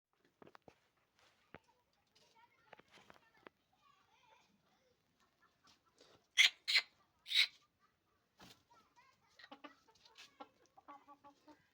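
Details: Hen in village life, clucking in scattered short notes with two loud harsh bursts near the middle, then a run of soft repeated clucks; quiet background.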